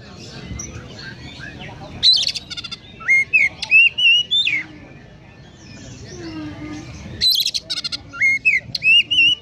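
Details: Oriental magpie-robin, known locally as kacer, singing konslet with sparrow-like notes: two bursts of chattering chips flowing into rapid whistled slurs and upward flicks, separated by a stretch of low background rumble.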